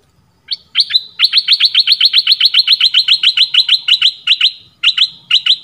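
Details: Red-whiskered bulbul lure recording for attracting birds: loud rapid run of clipped, bright chirps repeated about twice a second, fast and steady, then a brief pause and a few more chirps at the end.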